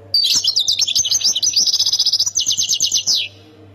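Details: European goldfinch, Khemis Miliana sector song from Ain Defla province, Algeria: a rapid continuous twittering run of high liquid notes, ending in a fast evenly repeated trill that stops abruptly, with a faint low hum beneath.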